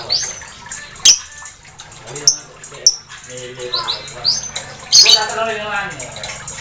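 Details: Blue mangsi lovebird singing: sharp high chirps and rapid rising squeaky notes scattered through, with a denser burst of chattering trills near the end, over faint low background hum.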